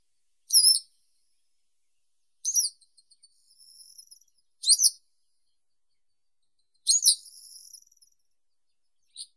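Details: Western yellow wagtail (Motacilla flava) song: four high, sharp chirped notes spaced about two seconds apart, two of them trailing into thin buzzy tails, on a quiet background.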